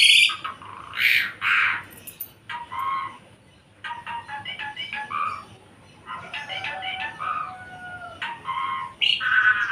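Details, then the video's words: Javan pied myna in full song, delivering bursts of strong whistled notes, scratchy rattles and squawky phrases separated by brief quiet gaps. "Jalak Suren A7 Gacor !! Suren Jawa"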